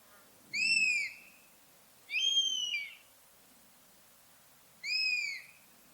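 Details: Three plaintive, down-curving mewing calls from a buzzard, each about half a second long with bright overtones, separated by one to three seconds of near silence.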